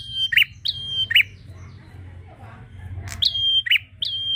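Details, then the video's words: A prinia calling a rival, sung to provoke other prinias: two-part phrases of a high steady whistle and a lower twangy note, a pair at the start, a quiet gap with low rumble, then more phrases. "Prenjak Gacor Memanggil lawan untuk merangsang bunyi burung prenjak"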